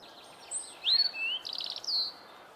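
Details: European robin song recorded in the Hannover region, Germany, 2021: a high, thin phrase of sliding whistles and a quick trill, varied and liquid, over faint background hiss.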